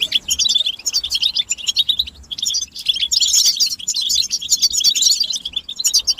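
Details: Several European goldfinches twitter together in a stimulation recording meant to rouse males into song: dense, rapid, high tinkling chirps and trills in bursts, with a short pause near two seconds before the chorus resumes at full strength.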